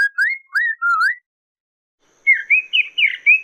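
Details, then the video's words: Chinese hwamei master song for cage-bird training. Three pure, rising-then-falling whistles, a silent gap, then a quick string of warbled, looping whistled notes. "Masteran Burung Poksay Mandarin"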